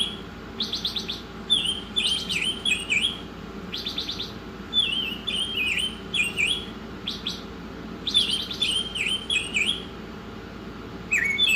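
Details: Oriental magpie-robin in a masteran training track, delivering bursts of fast rattling notes between sets of dipping, warbled whistles, about nineteen phrases a minute, with sharp high squeaks overhead and a steady low hum beneath.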